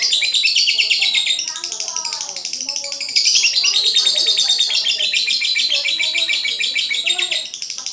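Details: Singing lovebird with a long, energetic flow of high, rasping chirps and squeaks, rapidly pulsed and nearly without pause, briefly louder around the middle.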